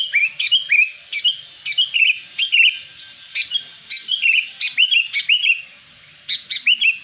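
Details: Wild sooty-headed bulbul, a recording meant for luring wild bulbuls: short bubbly phrases of a few liquid notes, each ending in a rising-falling slur, repeated about twice a second over a quiet background.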